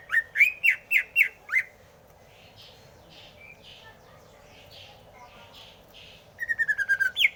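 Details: Greater green leafbird song: a rapid burst of six ringing, upslurred notes, a quieter stretch of soft muttered sounds, then a quick run of bright repeated notes ending in a higher flourish.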